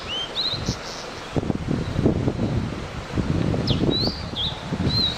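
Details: High clear chirps from a wild blue-and-white flycatcher: a rising whistle at the start, then a cluster of sliding, wavering notes late on, over hiss and frequent low rustling.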